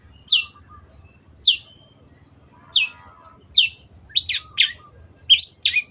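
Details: {'caption': 'Long-tailed shrike in lively song: spaced, sharp descending high chirps about one per second. These give way to quicker doubled and tripled squeaky notes near the end, over a soft low hum.'}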